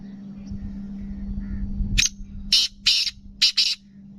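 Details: Black francolin, kept and offered by a breeder, a type described as speeder with nasal voice: a burst of harsh, buzzy high notes in a quick broken rhythm, three clipped phrases after two seconds of indoor hum and low noise.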